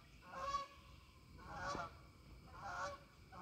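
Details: Flock of Canada geese taking flight from a pond in the evening light: nasal honks in three spaced bursts about once a second, over steady outdoor background noise.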